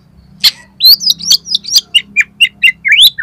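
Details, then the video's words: Oriental magpie-robin (kacer) song used as a lure to make another kacer sing and spread its tail: a dense, lively phrase of high sweeping whistles followed by a steady series of short chirps about four per second. "DALAM HITUNGAN DETIK KACER KALIAN PASTI LANGSUNG ON !!! MAU BUKA EKOR"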